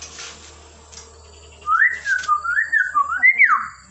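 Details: A myna greeting with a run of clear, quick whistled notes that wobble up and down in pitch, closing on a higher falling slur, in a quiet indoor setting.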